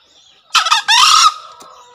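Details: A single green junglefowl crow: a sharp opening note followed by a longer, hoarse, buzzy second part that fades quickly. Small birds chirp faintly behind. Tutor recording for newly wild-caught or reluctant birds.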